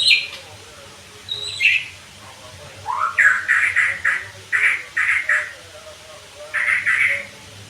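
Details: White-rumped shama therapy sound aimed at fast 'gacor' singing: a few high whistles, then repeated harsh, grating bursts in short groups with brief gaps, and a steady low background hum.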